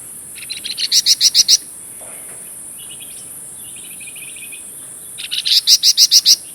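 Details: Golden-bellied gerygone (flamboyan) singing vigorously, a song used to train magpie robins and white-rumped shamas. Two bursts of about six rapid, bright, buzzy notes, with a soft trill between them and steady high hiss behind.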